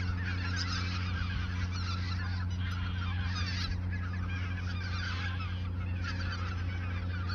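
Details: In the Ochsenmoor nature reserve, autumn geese a few days from migration call together: waves of loud nasal honks rise and fall over a steady low hum.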